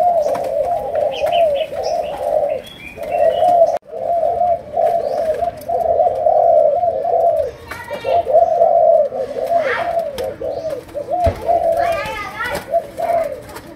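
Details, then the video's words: Malaysian spotted dove's chiêu gù cooing with a sấm đồng voice: long runs of low, bubbling coos broken by brief pauses, with a short gap near four seconds and a few buzzy chirps from another bird late on. "Cu Gáy Malaysia, Chiêu Gù. Sấm Đồng"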